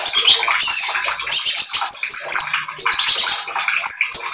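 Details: Oriental magpie-robin song used as a lure to get other birds singing: dense run of high, thin whistles and chattery notes, continuous with brief pauses, over a broad hissy background.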